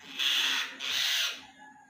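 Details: Common myna chick that fell from its nest gives two long, loud hissing begging rasps, each about half a second, separated by a short gap, then fading.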